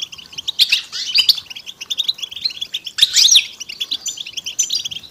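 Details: Goldfinch group song for prompting a silent male to sing. Quick tinkling chips and twitters run throughout, with two louder bursts of sharp, sweeping notes around the first and third seconds.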